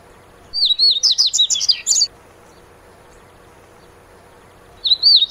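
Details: Dubois's seedeater (Sporophila ardesiaca), a small seed-eating bird also known in Brazil as coleiro mineiro, singing a rapid run of high, slurred whistled notes for about one and a half seconds, then starting again after a pause; faint background hiss.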